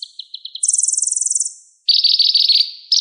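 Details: Van Hasselt's sunbird with a full repertoire, kept to teach other songbirds: short ticking notes give way to a fast high buzzy trill, then a lower, rougher rattling trill.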